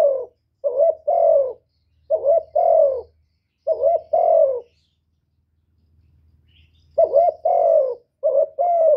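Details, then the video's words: Spotted dove calling, urging and cooing: repeated soft two-part coos, a gap mid-sequence, then the series resumes, over a faint low hum. "Cu Gáy GỌI + THÚC + Gù"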